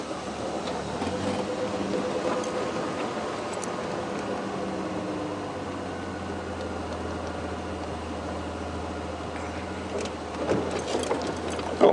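A steady low engine rumble and vehicle hum fills the recording, with faint mechanical noise and no animal calls.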